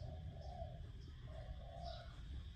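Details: A Spotted dove used as a decoy bird, voice style "Đồng Rước Mạnh", gives low, soft cooing notes. One longer coo is followed by two closer-spaced coos, over a steady low background rumble.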